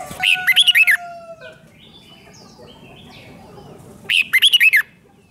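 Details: Red-whiskered bulbul singing the 'rik' style, played to excite caged birds: two matching phrases of six rapid, ringing whistles about four seconds apart, with a thin drawn-out whistle and quiet chirping between.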